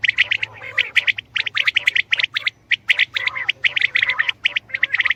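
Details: Calling common quail, locally batair: loud, rapid, overlapping sharp notes in clustered bursts, several birds, with faint lower chattering beneath and a steady low hum.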